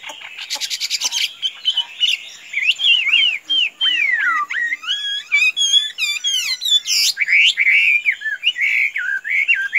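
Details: Chinese hwamei, tame as a chicken and allowed out without flying off, sings sweeping whistled slides, sharp downward swoops and fast trills. A brief burst of harsh rattling comes at the start.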